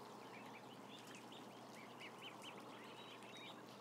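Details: Large brood of about a thousand ducklings giving a dense chorus of short, arched, high peeps, many overlapping and repeated rapidly throughout, over a steady low background hum.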